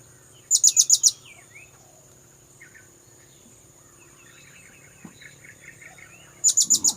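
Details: Piercing high notes from a blue-crowned hanging parrot lure call come in runs of five, roughly six seconds apart, with faint chattering from other birds between.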